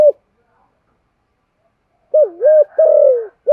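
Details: Spotted dove used as a decoy to lure wild doves, cooing in gù and calling style: a brief coo, silence, then a dipping two-part coo followed by a long descending drawn note and another short coo.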